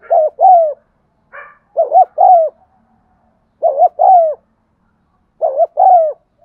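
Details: Spotted dove coos meant to spur silent birds into cooing: four evenly spaced phrases, each a short doubled hoot then a drawn-out falling coo, about every two seconds, with a faint higher note early on.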